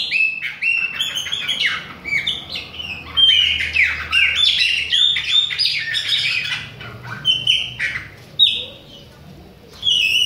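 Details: Baiano-style Chopi blackbird keeps singing in the face of rival birds, pouring out bright whistled phrases mixed with scratchy, buzzy notes and sharp chirps, brief gaps near the end before a final loud whistle.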